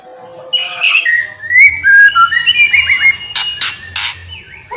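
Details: White-rumped shama singing a flowing series of clear slurred whistles stepping up and down in pitch, followed by several sharp clicking bursts.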